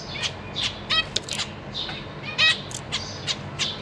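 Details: Zebra finch family kept in a cage, young recently out of the nest and flying around, April 2023; a steady stream of short nasal calls and buzzy chirps from several birds, loudest around two and a half seconds.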